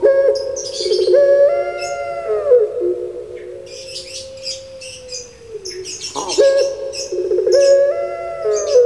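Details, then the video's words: Puter pelung, a domesticated Barbary dove kept in Java, giving long wavering coos that fall and fade, while small birds chirp high and busily throughout in the background. "SERING DIKIRA SUARA ORANG MENANGIS TIDAK TAUNYA SUARA BURUNG"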